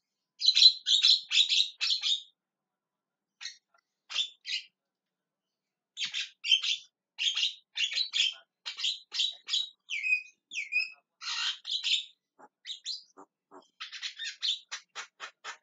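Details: A Javan myna screams and calls in long runs of rapid, rasping chirps, broken by short gaps and a few slurred whistled notes, ending in a fast chatter of thin clicks.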